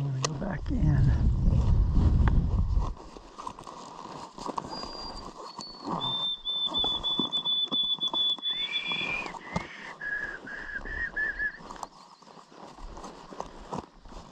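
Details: White-throated sparrow singing nearby at a bog edge in the western Adirondacks, New York, on a warming day during a 2021 birdathon: clear, pure whistles, a long high held note, then a lower note and a run of quick triplets, after low rumbling and footsteps.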